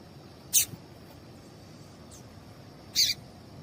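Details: Female double-collared seedeater calling to prompt males to sing: two bright high chips roughly two and a half seconds apart, with a faint thin note between them and steady low hiss.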